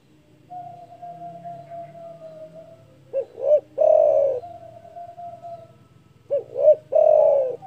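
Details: Loud spotted dove calling to rile rivals: a softer steady hum-like note first, then twice a phrase of two quick clipped notes and a long, rough, falling coo, with faint background murmur.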